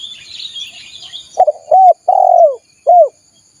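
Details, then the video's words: Spotted dove call recorded for luring wild doves. Chirps fade out before one clear phrase: a stuttered opening, a rising-then-falling coo, a long downslurred coo and a closing hooked note, over a faint high insect whine. "SUARA PIKAT BURUNG TEKUKUR PALING AMPUH || PANCINGAN TEKUKUR LIAR"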